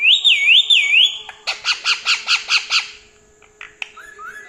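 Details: Pet parrot at night demanding churi and refusing sleep; a high wavering warbled whistle, then about eight harsh rhythmic squawks in quick succession, followed by quieter chirps in a small room.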